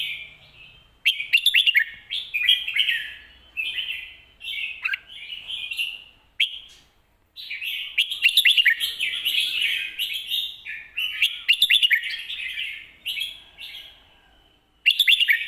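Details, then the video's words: Red-whiskered bulbul in lak wai style model song (mae bot): an almost unbroken stream of loud, bubbly whistled phrases, each a quick tumble of rising and falling notes, separated by short pauses. "ลากหวาย/แม่บทชัดๆ เสียงดี"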